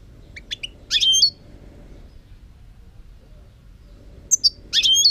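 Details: European goldfinch singing: two short bursts of high, bright twittering notes, each a quick cluster of sharp chirps and slurred whistles, separated by about three seconds of quiet with a low background hum.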